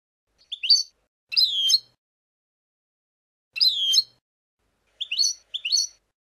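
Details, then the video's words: Goldfinch singing the 'Abu Khalil' song style for chick tutoring. Clear, liquid twitters and sliding whistles come in separate short phrases, about five bursts with silent gaps between them. "لغة حسون أبو خليل الأكثر متعة لتسميع الفراخ"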